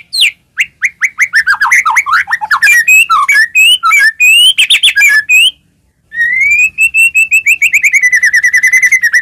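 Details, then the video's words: White-rumped shama song used to provoke other shamas into singing: rapid varied whistled and chattering phrases, then a long run of quick repeated notes sliding gradually downward after a brief pause. "murai batu gacor, AMPUH buat pancingan murai batu agar bunyi‼️"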